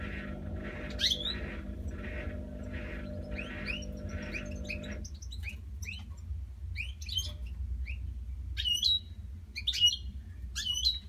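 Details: At night, captive European goldfinches that keep calling give bright, tinkling chirps and short twittered notes about once a second; a steady electrical hum fills the first half, over a low background rumble.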